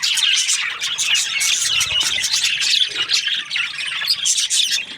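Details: Chirping budgies in a lively, overlapping chatter of sharp high twitters and brief squawks, running steadily without breaks.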